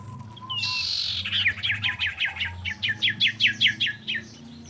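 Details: Common iora, described as a female in mating voice and used as a lure to spur other ioras into song, giving a brief rising whistle then a fast series of about a dozen sharp chirps.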